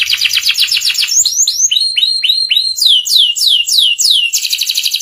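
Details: Canary master song used to teach young canaries: a fast trill, then a series of clear downward-sweeping whistles repeated about three per second, ending in a rapid high rattle.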